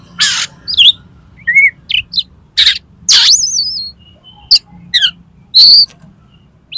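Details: Singing Oriental magpie-robin challenging a rival to fight, tail fanned. Harsh raspy bursts alternate with high wavering whistles and short warbled phrases, delivered irregularly about every two to three seconds.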